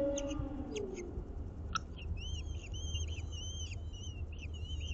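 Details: Common kestrels at their urban planter nest in Aguadulce, Almería, after the female returns with a swift: a few brief clicks, then drawn-out wavering whistles and short repeated notes against low rumble.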